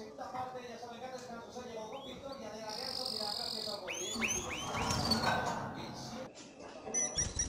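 Canaries sing in courtship, mixing bright chirps, rolling trills and quick upward-sweeping whistles.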